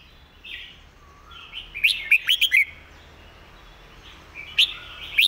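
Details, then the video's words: Red-whiskered bulbul delivering a quick, repeated master song. A burst of four loud, clipped whistles follows soft warbling, and after a quieter pause two more sharp rising notes come at the close. "เพลงดี"ปากไว เดินเพลงย้ำๆ เพลงแม่บท"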